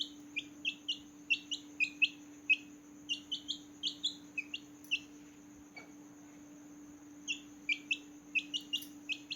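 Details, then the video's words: Newborn domestic chicks chirping loudly at night. High, sharp, downward-slurred peeps follow in rapid runs of three to five, with one short lull, over a constant low hum. "Chicks Chirping Sound || Chicks Chirping Loudly || Chicks Chirping a lot"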